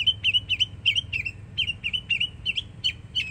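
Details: Young northern mockingbird singing in Florida, repeating one clear slurred whistled note with a sharp upper click about every quarter second, a steady rhythmic series, light low rumble behind.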